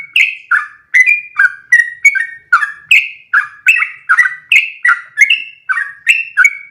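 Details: Sooty-headed bulbul in full, active voice, delivering a long unbroken rolling song meant as a training model for other birds: liquid, slurred whistled notes bouncing between two pitches, about two phrases per second, clean background.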